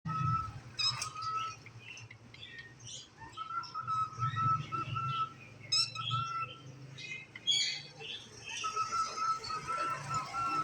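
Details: A pet cockatiel named Peekaboo, white and yellow with a crest, chatters and mimics speech, possibly "If you're happy and you know it", mixing a steady whistled tone with sharp chirps and squawks.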